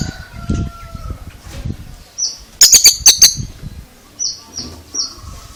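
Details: Oriental magpie-robin producing unusual notes: a run of rapid sharp high clicks in the middle, flanked by short pure whistled notes, with low thumping and rustling early on.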